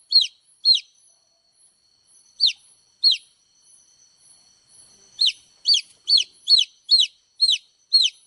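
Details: Baby chicks give piercing, downward-sweeping peeps. Two come early, two more after a pause, then a rapid burst of seven near the end. Nothing else is heard.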